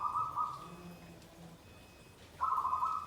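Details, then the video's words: Zebra dove in 'nggandem guaring' song: a short cooing phrase, a quiet pause with a faint low hum, then another mid-pitched trilled coo begins. "SUARA PERKUTUT GENDOWO SABDO || NGGANDEM GUARING"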